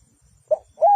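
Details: Spotted Dove used as a decoy bird for trapping, giving a short low coo followed by a longer, steady, hollow cooing note that drops at the end.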